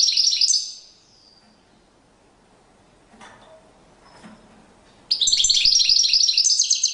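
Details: European goldfinch in courtship display, one twittering phrase ending at the start, a hushed gap of about four seconds with faint background noise, then a fresh loud burst of rapid, high, jingling notes.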